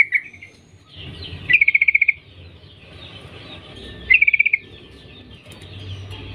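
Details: Calls of a female sooty-headed bulbul summoning males: two quick rattling bursts of clipped high notes about two and a half seconds apart, with a faint hiss and low hum in the background.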